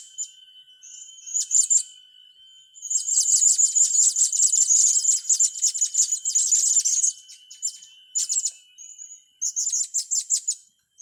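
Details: Blue-crowned hanging parrot, young birds being trained, giving a long run of rapid, piercing high trilled notes that swell into a sustained chatter midway, then break into shorter bursts; a faint constant whine hums beneath.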